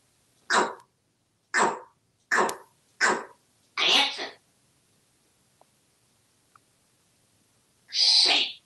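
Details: Male African grey parrot kept as a house pet in Texas, hatched June 1997, giving five short rasping vocal bursts about a second apart, a pause, then one louder drawn-out harsh squawk.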